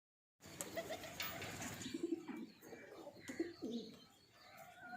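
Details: Breeding pair of pigeons, low cooing notes around two seconds in among a busy background with chirps and scattered knocks.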